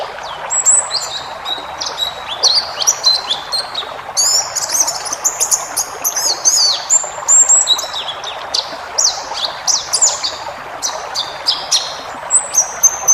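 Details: Forest-type white-eye tutor song for caged birds, rich in varied phrases: busy high-pitched twittering with sharp chirps and short slurred whistles packed closely together, against a constant watery hiss.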